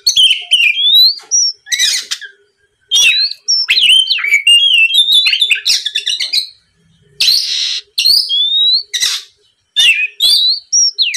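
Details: Extended lure song of an Oriental magpie-robin, aimed at making rivals sing back: repeated phrases of varied whistles, sweeping slurs and harsh rasping bursts in bouts of one to two seconds, separated by short silences.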